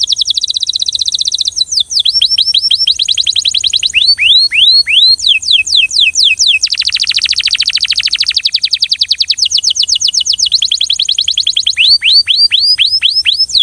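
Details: Belgian canary singing a fast, rhythmic song: rapid trills of high whistled notes, bursts of down-slurred chips repeated several per second, and buzzy rolling phrases, continuous and loud throughout with no other sounds.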